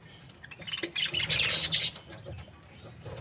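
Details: Breeding-pair budgerigars, described as happy, let out a dense, noisy burst of high, harsh chattering lasting about a second, with quieter scattered tweets before and after.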